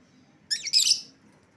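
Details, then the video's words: Lovebird call meant to attract an escaped bird back: two joined raspy, shrill screeches in quick succession. "suara pikat lovebird yang lepas"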